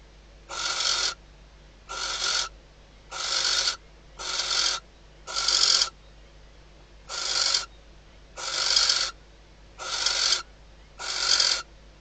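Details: At night in a nest box in the Ebro Delta, a female barn owl calls as the male arrives, days before the first egg hatches; nine breathy, grating screeches with irregular pauses between them.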